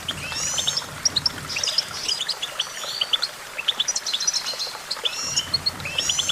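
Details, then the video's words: A goldfinch sings a stream of sharp tinkling notes and short rising and falling whistles, loosely grouped into bursts, over a soft low rumble. "Vocal virtuoso: activating enhancing your goldfinch songbird prowess"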